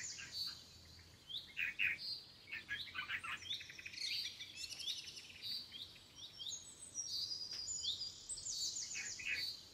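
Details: Red-vented bulbul chicks being fed by a parent in a home garden give a dense, excited stream of high, rapid chirps and squeaky notes that overlap and rise in bursts, over faint hiss.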